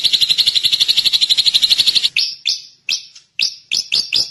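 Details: Drongo delivering a fast, regular buzzy trill for two seconds, then switching to separate sharp, down-slurred chirps at uneven intervals.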